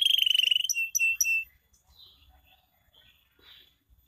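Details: Canary singing as a lure for reluctant canaries: a fast, bright trill of rapid notes and three short whistled notes, then only faint scattered chirps and near silence.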